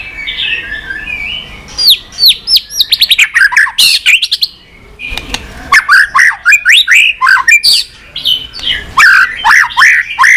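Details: White-rumped shama with a lively many-voiced song and clicking calls, used to stimulate and train birds: soft warbling, then dense runs of high downslurred notes, a brief lull, and more rapid varied phrases.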